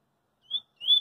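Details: Double-collared seedeater in the street giving two clear whistled notes, each rising slightly and then steady, about a third of a second apart, the second louder. This is the opening of its coringa song.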